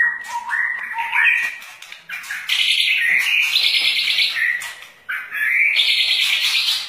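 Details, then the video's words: Long-tailed white-rumped shama, likely kept, singing: loud, varied phrases of stepped whistles climbing from low to high, then sustained buzzy and rattling strophes, delivered almost without pause. "burung murai batu ekor panjang"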